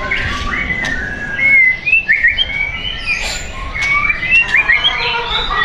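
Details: White-rumped shama for sale in South Tangerang, Indonesia, giving scattered clear whistles and short twisting phrases, some sliding upward, separated by brief gaps, with faint background noise.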